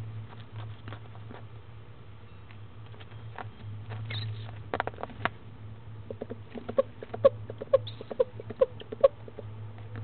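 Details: Hours-old female barred owlet being fed her second meal in Florida, 10am, 19 February 2015; soft rustling and clicks first, then a lively run of about six short peeps, with a steady low hum throughout.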